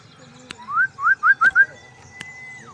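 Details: Showing-off white-rumped shama sings four loud, rising whistled upslurs in quick succession, followed by a long, steady, high whistle that drops away at the end, with a couple of sharp clicks.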